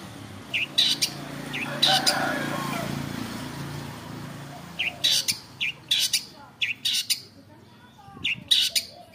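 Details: Long-tailed shrike (cendet) in full afternoon song: clusters of short, sharp, rasping notes in quick pairs and bursts, separated by brief pauses, over a steady low background hum.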